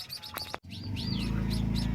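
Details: Captive-bred white-headed munia × society finch hybrid chicks give thin, high, rising-and-falling begging chirps several times a second while their father feeds them, over a steady low hum with a brief click.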